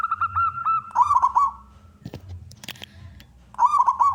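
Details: Local wild-type zebra dove singing to provoke other doves: a string of short rising coos leading into a trilled phrase, then a few sharp clicks, then another trilled cooing phrase.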